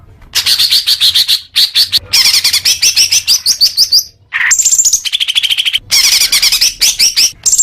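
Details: Caged-bird training song of the greater green leafbird: long busy sequence of rapid chattering trills and high squeaky notes, varied phrases running almost without pause.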